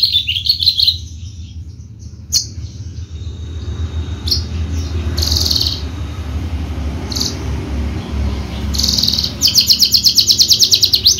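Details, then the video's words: Horsfield's bushlark of the Javan race, kept for song contests: short bursts of high buzzy notes and single sharp calls spaced out, ending with a rapid pulsed high trill; faint low hum. "KICAU MERDU BRANJANGAN JAVA"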